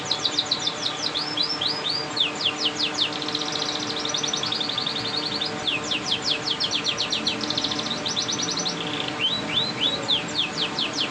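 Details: Canary song of rapid repeated high whistled trills and rolling tours, sweeping notes alternating with steady buzzy rolls, continuous and loud throughout, with a faint steady hum beneath.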